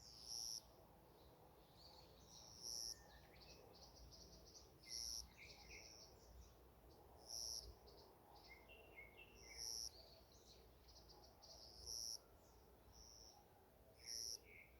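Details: Wild birds at morning in a forest: a thin, high, pure whistled note repeats about every two and a half seconds, while softer chirps and short descending notes from other birds fill the gaps over a faint low hum.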